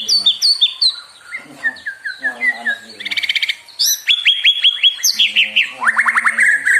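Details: White-rumped shama singing to provoke other birds into song: a lively medley of whistles, buzzy trills and repeated rising notes in quick succession, rich and varied throughout.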